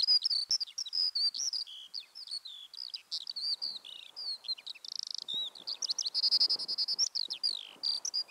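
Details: Eurasian skylark, a male, singing in the distance at Deer Leap in the Mendip Hills, caught with a parabolic microphone: a continuous, rapid torrent of high warbled and trilled notes, chirps and slurred whistles without pause, over a quiet background.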